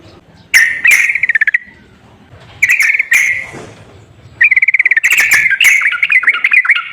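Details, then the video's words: Sooty-headed bulbul sounds used as a singing lure: three bursts of rapid, rattling, stuttered notes over whistled tones, separated by quiet gaps with low background noise. "TERAPI BURUNG TRUCUKAN MALAS BUNYI//ISIAN PANCINGAN TRUCUKAN YANG MALAS BUNYI"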